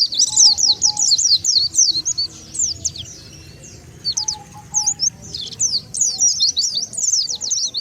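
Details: Wild-bird lure call of the Oriental white-eye: high, rapid zigzag chirping in two bursts separated by a quieter gap, with faint background hum.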